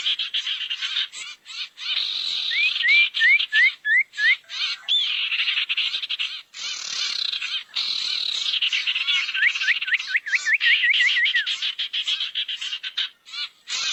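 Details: Lure sound for gathering barn owls: long run of hoarse, breathy hissing screeches broken by short gaps, with quick series of thin upward-sweeping whistles near the start and again toward the end.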